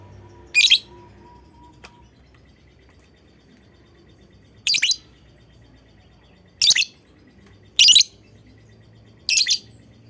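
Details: Lovebird call meant to prompt other lovebirds to sing along: five sharp, screechy chirp bursts at irregular gaps of one to four seconds, with a faint low hum underneath.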